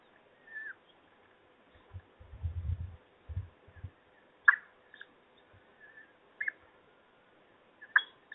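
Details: Peregrine falcons at the nest during a supper feeding in Trzebież, 17-05-21: scattered short, harsh calls, some falling in pitch, spaced over several seconds, with low dull thumps and scraping from movement at the nest.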